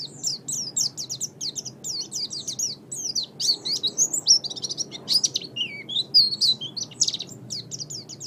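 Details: Tutor recording of Oriental white-eye song for songbird training, made of fast, high twittering phrases and sweet chirps tumbling together, with a few lower slurred notes mixed in.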